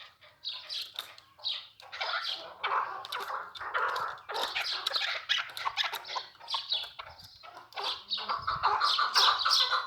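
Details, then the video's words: Newly acquired chukar partridge kept by its owner, calling: bursts of rapid scratchy chattering and clucking notes, mid to high pitched, running in uneven phrases with brief pauses. "My New Chakor Voice"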